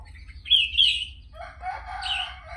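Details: Sooty-headed bulbul singing: a pair of bright high warbled phrases, then a lower, fuller burst of jumbled notes, over a faint low hum.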